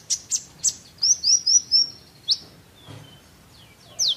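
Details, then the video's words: Olive-backed sunbird, chatty and singing: loud, very high chirps and quick falling whistles in an uneven burst, a brief pause with a faint lower buzzy note, then one more sharp falling chirp. "kolibri ninja gacor isian ampuh buat masteran"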